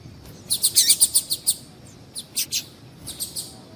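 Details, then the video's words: Rapid run of high, bright chips, about four per second, slowing and fading into scattered notes, from a female double-collared seedeater; the calling is used to warm up males for singing contests. "Piado de Fêmea de Papa capim esquentar"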